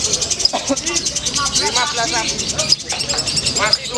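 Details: Ngekek trill from a female lovebird competing in the Bintang PBI lovebird class: a rapid, shrill, buzzing chatter of closely packed notes held throughout, overlapped by loud nearby voices and general crowd noise.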